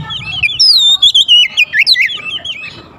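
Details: Oriental magpie-robin (kacer) pikat lure sound to attract birds: a quick string of looping, warbled whistles, rising then falling in pitch, several notes each second, with a faint low rumble at the start.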